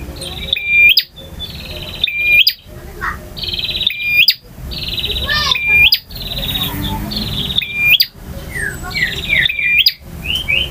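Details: Long variation song of a male bar-winged prinia, kristal and ngalun styles: buzzy trilled phrases ending in sharp flicks, repeating every couple of seconds with a low hum behind.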